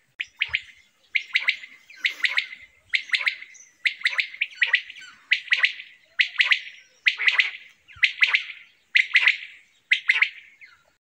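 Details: Common quail (Coturnix) in a summer meadow gives its sharp, liquid three-note 'wet-my-lips' song phrase, repeated about once a second in a steady series against a quiet background.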